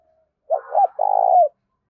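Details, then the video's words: Tame decoy spotted dove in rural Đồng Nai, Vietnam, giving the driving 'gáy thúc' coo used to lure wild doves. One low, hollow phrase: a short throaty coo, then a longer rough, pulsing coo that slides down at the end. "Tiếng chim cu gáy Mồi thuần gáy thúc vang một vùng quê Đồng Nai"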